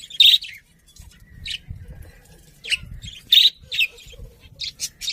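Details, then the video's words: Budgies chirping: short bright chirps in separated bursts, a few quick notes grouped together about once a second, over a faint low rumble. "Cute Budgies Chirping Sounds"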